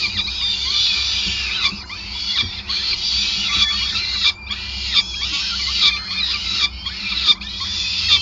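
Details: At a Groningen peregrine falcon nest, 5 May 2020, feeding in progress: bursts of thin, piercing squealing calls broken by short pauses, with a faint background hum.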